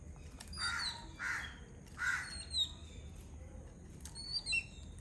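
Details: A flock of Yellow-billed Babblers eating coconut from the shell give harsh, nasal squawks in three quick bursts within about two seconds; thin, high chirps over a low background hum.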